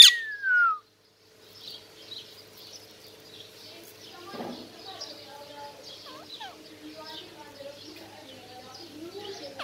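A parrot gives one loud, falling whistle, then keeps up a soft, steady chatter of high squeaks and chirps.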